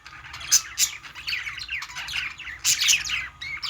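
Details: Budgerigars chirping while playing: a busy warble of quick rising and falling chirrups with a few sharp high clicks, several birds overlapping throughout.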